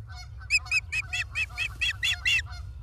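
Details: Osprey calling at Charlo, Montana, 28 August 2023, on a live nature cam: a fast series of about ten loud, high, harsh whistled chirps with softer lower chatter between them.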